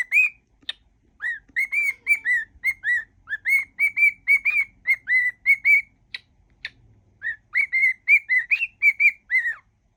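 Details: Pet cockatiel whistling a mash-up of songs: a long run of clear, short whistled notes, mostly level or slightly falling, in quick phrases with brief pauses between groups of notes.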